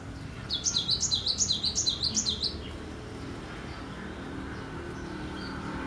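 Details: High, rapid, evenly spaced notes from a cinereous tit in full song, roughly fifteen bouncing rising-falling elements over two seconds, then quiet with low background hum and faint distant chirps.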